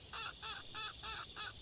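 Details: Junglefowl heard at night at a campsite during light drizzle, giving five harsh, hoarse notes in quick succession, about three per second, over a steady hiss of light rain.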